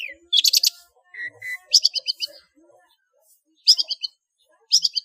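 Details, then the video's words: Long-tailed shrike ngeplong song with full fill, a master for training cage birds: short clusters of quick, high, descending notes, with two brief mid-pitched whistles between them and quiet gaps. "SUARA BURUNG CENDET NGEPLONG FULL ISIAN"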